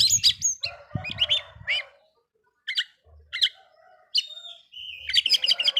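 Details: Agitating song of an Oriental magpie-robin aimed at other magpie-robins, bursts of rich warbled and whistled phrases broken by short silences, ending in a fast dense chattering sequence.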